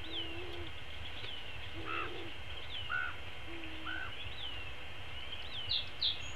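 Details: Long-eared owl at a nest, recorded April 13, 2016, as an adult feeds its chick a whole vole: thin, high, squeaky downslurred calls repeated every second or so, with a few short, soft, low notes over a steady low rumble.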